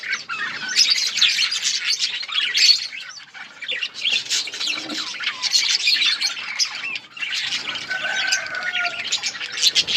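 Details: Budgerigars in a breeding colony keep up continuous loud chattering: overlapping chirps, warbles and harsh squawks, with a steady whistled tone near the end.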